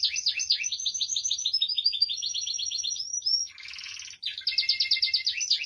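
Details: Canary identified as Belgian canary, though presented as a Spanish timbrado, singing continuously with rapid metallic trills and rolling tours at high pitch, broken by a brief buzzy burst before the fast trilling resumes.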